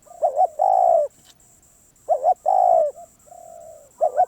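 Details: ['Spotted dove, described as a very stubborn wild bird, cooing steadily. Each phrase is a rapid double note then a sustained husky coo, repeated about every two seconds over a thin constant whine.']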